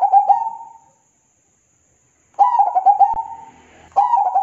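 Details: Zebra dove (perkutut) masteran song: phrases of low, warbling coos follow closely, one long rolling trill leading straight into the next, with a faint click and a steady high electronic whine in the background.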